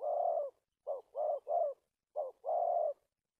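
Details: Spotted dove decoy for trapping, singing the 'cà lăm' stutter with two or three head notes, 1/3/19: a long low coo, then clipped notes and rounded coos, ending in another sustained coo; no other sounds.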